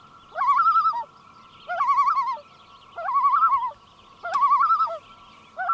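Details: At a northern breeding lake in the early-morning mist, a Common Loon, one of a pair, gives its laughing tremolo: four quavering, wavering bursts, each under a second, at a steady mid pitch, spaced about every second and a half.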